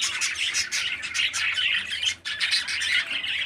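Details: Loud, continuous harsh chattering from a healthy 13-day-old captive parakeet chick. A brief drop near the middle is followed by rapid scratchy calls that resume at once.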